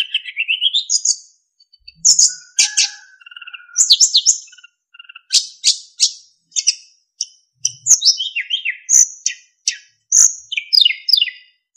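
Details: Varied tutor song of a kept narcissus flycatcher: a rising whistle, high sharp chips, a low buzzy phrase, then many quick descending slurred notes in regular bursts.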